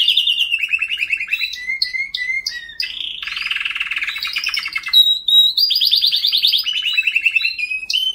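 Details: Continuous song from a white canary, mixing fast rolling trills, buzzy pulsed passages and sharp whistled notes that shift up and down in pitch without a break.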